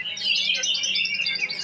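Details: Male white-rumped shama at a breeding farm giving a brief burst of dense, high chirping and twittering notes, bright and continuous, with a man's voice counting faintly nearby.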